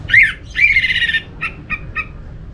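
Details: Orange-headed thrush (Geokichla citrina) giving harsh, scratchy notes: a rasping slur, a longer buzzy phrase, then three short clipped notes about a quarter-second apart.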